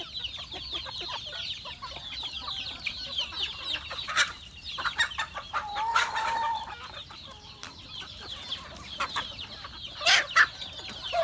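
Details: Chickens on a farm during feeding: a dense, continuous chorus of high, short chirping calls from many birds, with scattered lower clucks and several sharp, loud bursts near the middle and end.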